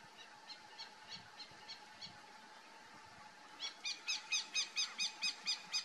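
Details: Crane hawk calling from its lookout perch: faint, evenly spaced notes at first, then a loud, regular run of ringing, harmonic notes about three per second for the last two seconds, with a constant low hum behind.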